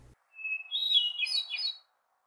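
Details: Hermit thrush song in northern woods in June 2020: one phrase with a long, steady whistled opening note, then a flutey, echoing cascade of higher, tumbling notes over about a second.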